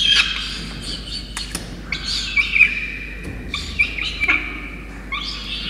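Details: Peregrine falcon chick in Orange, NSW, Australia, 5 November 2021, calling for food while its soaked parents deliver a starling: repeated grating, squealing cries that rise and break off, coming every second or so.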